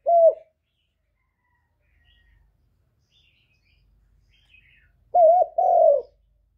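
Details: Spotted dove, a kept bird cooing loudly, recorded directly without extraneous noise: a single short coo, a long pause, then two close coos, the first with a quick rise and dip, the second longer and falling.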